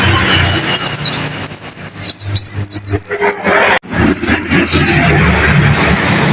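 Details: White-eye (pleci) training song for caged birds: a dense, fast series of high slurred chirps for three seconds, a brief break, then a few more sharp twittering notes over steady background noise.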